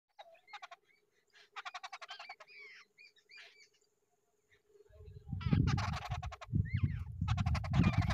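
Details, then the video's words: Two wild babblers together at their nest give short harsh, buzzy chattering bursts and a few rising nasal notes, followed by a loud low rumbling noise over the last few seconds. "Wild babbler birds both together in the nest"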